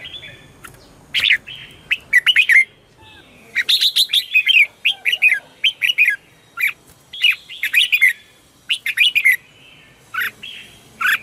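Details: Morning song of red-whiskered bulbul, a contest-style 'chè' song for training birds and luring wild ones: dense runs of loud, bubbling whistled notes in quick bursts, barely pausing over eleven seconds.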